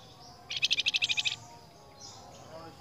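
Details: Flamboyan answering another flamboyan with one strong, even trill of about eleven rapid, buzzy notes lasting under a second. Near silence follows, with a faint low background.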